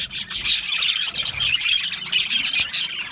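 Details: Australian budgies in an aviary chatter rapidly, raspy chirps and thin whistled tweets packed closely together, with a rhythmic burst of sharp notes near the end.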